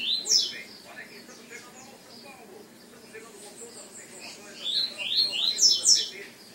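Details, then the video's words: Colour-mutation double-collared seedeater singing high, quick sweeping whistled notes in a burst at the start and a longer run near the end, with quieter twittering and a faint murmur of voices between. "COLEIROS MUTAÇÃO"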